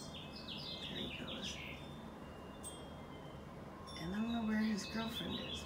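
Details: A male House Finch sings from his usual perch on an Emeryville apartment deck where the pair nests, a quick, bright run of warbled notes tumbling downward. A man then talks over faint chirps.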